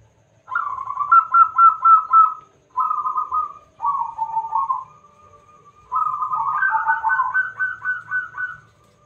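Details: Strong-voiced local zebra dove singing as a lure to get other doves calling: clean phrases of rapid bubbling coo trills with short pauses, the final phrase climbing and breaking into quick stuttered notes, background nearly silent.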